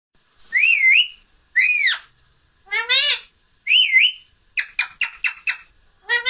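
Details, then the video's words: Pet parrot, said to be trying to say "mummy" to call its owner in a tiny voice: clear harmonic, warbling vocal bursts, several rising then falling, followed by a quick run of short clipped notes, indoors with no other sounds. "‘Mummiii…’ bolne ki full koshish"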